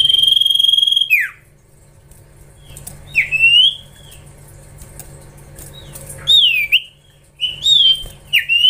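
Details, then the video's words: Common iora, a young bird in training, gives a long steady whistled note with bright overtones that drops in a downward slur, followed after a pause by short rising slurred whistles. "Gacorrr ngelatih cipow cipoh anakan"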